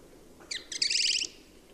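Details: Song thrush singing: a brief burst of rapid, high, metallic notes repeated in a quick series lasting about half a second, preceded by a couple of short chirps, with faint low background hum.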